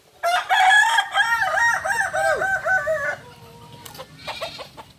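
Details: Kukuak balenggek rooster, a native breed from Solok, West Sumatra, at a crowing practice session: a long crow of several stepped, wavering harmonic syllables lasting about three seconds, then a short tail and faint clucks.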